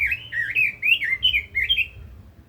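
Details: Lively 'kích giọng' song from a Red-billed leiothrix, a continuous chain of sweet, bouncing whistled notes, each slurring up and down, pouring out for about two seconds before fading.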